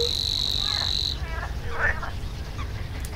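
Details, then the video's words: Savi's warbler (Locustella luscinioides) singing in a reedbed: a fast, even, insect-like reeling buzz that cuts off after about a second, followed by brief chirping from other birds over a low rumble. "Savi's warbler (Locustella luscinioides) sings in the reedbed"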